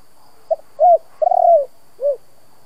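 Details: Local-voice ('giọng thổ') spotted dove cooing in 'kích bổi' style to provoke decoy doves. Single phrase of four parts: a faint pip, a full coo, a prolonged vibrating coo sliding down, then a last rounded coo.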